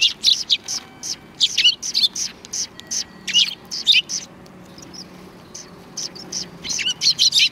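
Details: A group of sparrows outside a cultural hall, 7 February 2020, greeting an arrival. Bright, high chirps come in quick clusters throughout, separated by short gaps, with one lull midway before the chattering picks up again.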